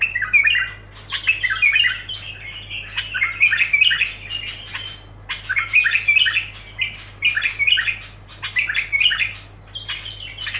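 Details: Bulbul pouring out unbroken song: lively, chattering, whistled phrases, each roughly a second long, following one another almost without pause against a faint steady hum.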